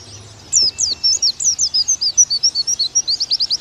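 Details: Oriental white-eye in nembak style, from a training recording: after a half-second pause, clear, high, wavering whistled notes follow one another quickly and evenly, with a faint low hum beneath.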